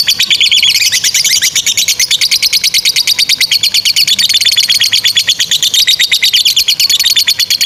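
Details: Lovebird ngekek, a long chattering song played to train young or stalled lovebirds; a quick even series of sharp high clicks and squeaks, close to three per second, sustained across the whole stretch.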